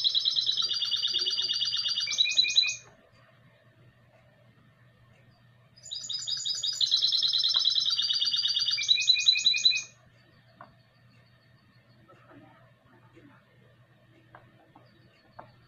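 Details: A classic-style goldfinch × canary hybrid, recorded in 2020, sings two long phrases of about four seconds each, made of fast ringing trills that shift between pitches, separated by a quiet interval with a few faint ticks.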